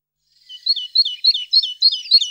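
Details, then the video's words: Tit singing: a quick run of paired high, sharp notes, the couplet repeated about every third of a second after a brief silent start, clean with no other sounds. "Голос Синицы"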